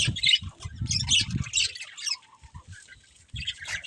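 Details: Budgerigar breeding pair giving short bursts of harsh high chirps and squawks, broken by pauses, with low thumping and rustling sounds in the first half.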